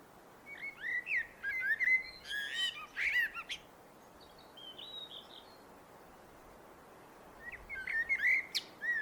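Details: A common blackbird sings two separate phrases of rich, liquid whistles broken by scratchy high twitters, with a quiet gap between them and soft faraway bird notes in the background.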